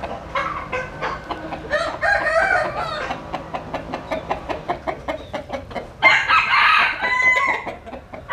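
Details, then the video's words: Rooster in the sun, uttering a quick run of short, evenly spaced clucking pulses. A loud, ragged crow rises from them near the end and then fades. "Ngắm Gà Trống Đẹp, Nghe Gà Gáy"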